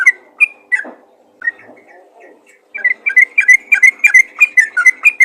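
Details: Sooty-headed bulbul calling other bulbuls: a few scattered whistled chirps and a low slurred note, then after a quiet gap a quick burst of bright, bouncing whistled notes repeated about three times a second.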